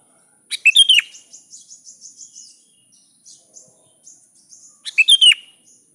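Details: Sooty-headed bulbul calling to a rival, giving a loud, bubbly burst of rapid notes, then a string of soft high chips, the burst repeated about four seconds later over a faint steady hiss.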